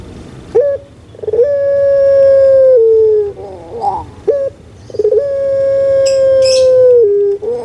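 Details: Puter pelung dove kept at home in Java, Indonesia, giving two long, booming, level notes that sag lower just before stopping, each led by short sharp notes and separated by a warbling, bubbling roll.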